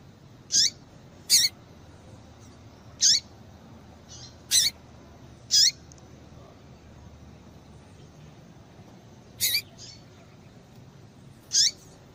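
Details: Female double-collared seedeater giving calls meant to excite males into singing: seven loud, thin, high chirps with downward-hooked tails, spaced unevenly every one to four seconds, over a quiet constant hiss.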